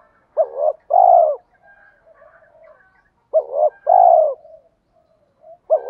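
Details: Spotted dove pair, male and female, calling to trigger cooing for training. Low mellow phrases repeat about every three seconds: a short undulating note, then a longer downslurred coo, with quiet rumbling murmurs in the gaps.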